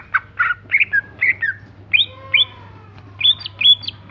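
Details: Greater green leafbird singing actively: short chirped and whistled phrases jumping between pitches, with sharp rising notes near the end and a faint long whistle beneath; constant low hum in the background.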